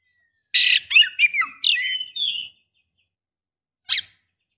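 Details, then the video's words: Female white-rumped shama in breeding condition luring a male: a scratchy burst leading into a chain of downward-slurred whistles and a level, buzzy tone, then silence and one short harsh note. "Pancingan Suara KACER BETINA GACOR Birahi Mantap Untuk Memancing KACER JANTAN Agar Mau Nyaut BUNYI!!"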